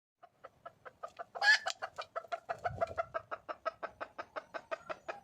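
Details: Wild junglefowl hen calling for a male: a fast, steady run of short clucks, about three per second, broken near the start by one loud, harsh, rasping burst.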